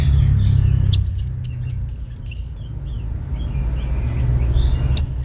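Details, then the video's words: Orange-headed thrush singing, used to make other birds reply. A rapid string of sharp, very high whistled notes comes in a burst, then softer warbled fragments follow, over a constant low background hum. "Kicauan ANIS MERAH Gacor Ini dijamin Pasti Ikut Nyaut"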